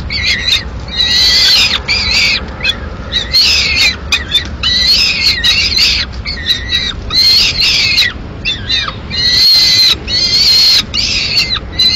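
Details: Peregrine falcon chick, a lone nestling in Madrid, Spain, on 22 May 2016, demanding food after the male brings a swift and the female takes it; long harsh wailing screams repeated almost continuously, high and slightly wavering.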